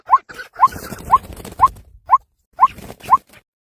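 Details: White-breasted waterhen calling, recorded 19 January 2026: a steady series of short rising notes, one every half second, each followed by softer clucking chatter.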